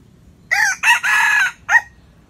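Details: Rooster crowing: one loud, harsh cock-a-doodle-doo in four syllables, a short note, a second short note, a long held middle note and a brief clipped ending, over a quiet background.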